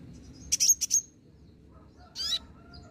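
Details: Olive-backed sunbird calling as a singing lure: a short group of piercing high chips followed by a brief thin descending twitter, over low steady background hiss.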